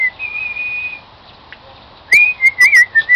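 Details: Pet cockatiel whistling the tune "Song of the Garden": a long steady whistled note, a pause, then a burst of short, clear whistles that rise and fall in quick succession.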